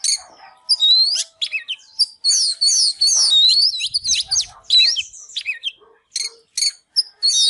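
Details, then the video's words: Oriental magpie-robin (chích chòe than), fired up, singing while dancing: a rapid, varied stream of clear whistled phrases with rising and falling sweeps and buzzy trills, broken by short pauses, then clipped repeated notes near the end. "Chích chòe than LÊN LỬA || HÓT MÚA ĐẲNG CẤP"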